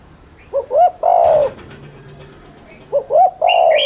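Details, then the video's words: Spotted dove cooing to stimulate other doves: two phrases of quick paired low notes and a drawn-out coo, with a faint low hum and brief clicks between, and a higher chirp at the end. "Cu gáy THÚC Liên Thanh kích bổi,mồi ức chế nhanh gáy/kích bổi nhanh nổi"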